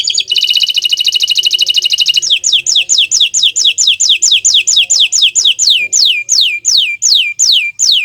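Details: Bottle-green canary delivering a rapid rattling trill for two seconds, then a long steady run of clear, downward-sweeping whistles, each repeated roughly every third of a second.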